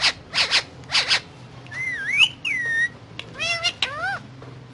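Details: Indian ringneck parakeet, a pet talking while eating guava: rapid harsh chattering bursts, then clear whistled rising and falling tones and squeaky frequency-swept notes, with a low steady hum underneath.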